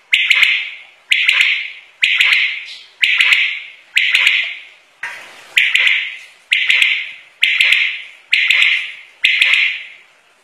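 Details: A single common quail giving a sharp, high, rasping call, one burst about every second, ten in a row, each identical and fading quickly, with nothing else heard.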